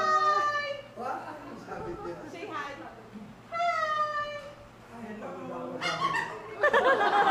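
A cockatoo gives a run of throaty, speech-like phrases with falling tones, some drawn out and some quick, ending in a louder raspy burst.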